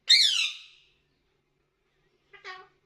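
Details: Pet talking parrot, a male kept at home: a loud harsh squawk that falls away over about a second, then after a pause a short voice-like burst.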